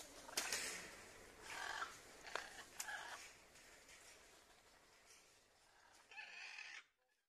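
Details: Blue-and-yellow macaws, rescued from captivity and rehabilitated, are being released into the wild. They give harsh, raspy squawks in irregular bursts, a few in quick succession, then a longer grating call near the end.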